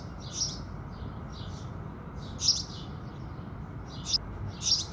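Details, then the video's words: House sparrows at daybreak utter sparse, scattered chirps, a few louder notes standing out from quieter ones over a steady low hum. "Sparrows Singing"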